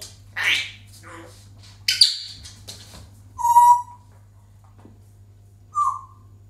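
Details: Pet African grey parrot mixing raspy squawks with clear, pure whistled notes, one long and steady, another short and dipping, separated by pauses of a second or more.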